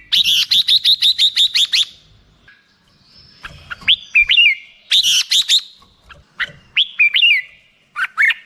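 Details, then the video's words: Black-crested bulbul opening with a fast, evenly spaced run of sharp chirps, then softer hooked whistles and short bright phrases after a quiet gap. "suara burung merbah jambul"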